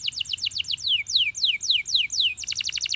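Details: Belgian canary song meant to urge companions to sing: quick falling whistles, then slower long downward-sliding notes about twice a second, closing with a burst of rapid sharp notes.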